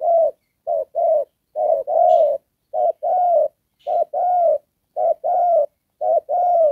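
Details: Trapping decoy spotted dove with a 'đồng pha' coo featuring 'rước' and 'kèm': low gravelly coos in regular short-long pairs, about eight pairs in quick succession, clean background.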